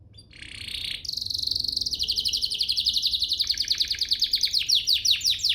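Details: Domestic canary singing to prompt other canaries to sing: a long buzzy trill that shifts into rapid repeated descending notes, high-pitched and continuous, over a low steady background hum.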